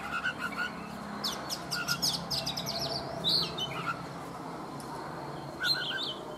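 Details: Oriental magpie-robin, caged for three seasons after capture in the wild, singing in the morning: a loose series of high chips and short slurred whistles with gaps, over a steady low background hum.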